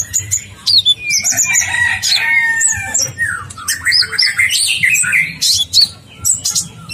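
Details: Ninja-type sunbird in persistent song with long rolling fills, recorded as a masteran: crowded high twittering, quick downslurred whistles and brief longer notes, continuous over a quiet background hum.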